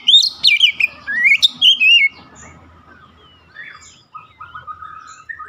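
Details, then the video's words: Bright whistled phrases of an Oriental magpie-robin in the first two seconds, rising and falling sweeps, then only faint, distant chirps and quiet background. "KACER SETRES LANGSUNG GACOR"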